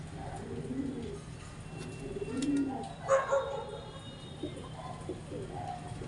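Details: Pigeon during mating giving soft, low purring coos, a couple of faint drawn-out notes, with a sharp knock midway over constant low background hum.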